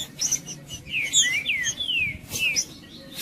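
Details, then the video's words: Male Green-winged saltator song used to provoke rivals: a short burst of several ringing, down-sweeping whistles overlapping one another, with a sharp chip near the end. "Trinca ferro cantando Para Esquentar Trinca ferro"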